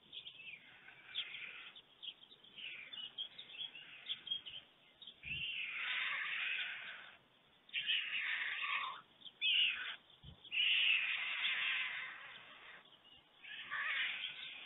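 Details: White stork pair at a nest cam in Germany at 5:38 a.m. on 24 June 2020, a returning adult greeted by its mate before feeding the single chick; hoarse, rasping bursts of a second or more, separated by quiet gaps.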